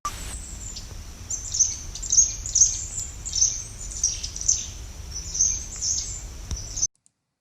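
A Black-capped Chickadee gives a run of high, thin, repeated notes about twice a second, with faint background hiss.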